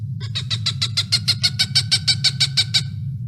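A Cooper's Hawk gives a fast series of about sixteen harsh, nasal 'cak' notes, roughly five a second, over a low steady hum.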